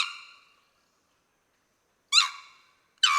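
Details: Sri Lanka Junglefowl, the endemic national bird of Sri Lanka, recorded at Yatiyanthota, Kegalla, on 6 November 2017: loud, harsh, ringing calls, one fading at the start, then two more bursts about a second apart after a silent gap.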